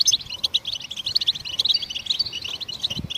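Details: Goldfinch chirps sung to stimulate songbirds: sparse, high, bell-like notes and short twitters scattered through the stretch, with one thin drawn-out whistle.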